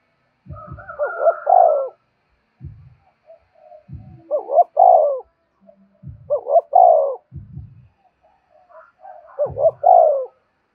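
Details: Decoy spotted dove cooing to lure wild birds, repeating its phrase four times about every two to three seconds: paired short hoots then a longer falling coo, with low knocking thumps between phrases.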